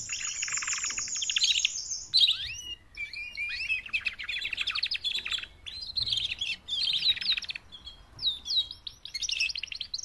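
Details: Mating call of four female canaries, used in training to make male canaries sing louder. It opens on a held high whistle over a buzzy roll, then runs into rapid trills, upslurred notes and chattering phrases.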